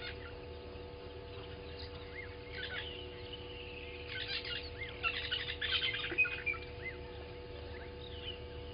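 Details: Southern masked weavers at Gowrie dam waterhole, Djuma Game Reserve, Sabi Sand, South Africa, on a live camera at 07:30 on 12/06/20. Buzzy, scratchy chattering bursts swell after four seconds among thin whistles, over a steady low electrical hum.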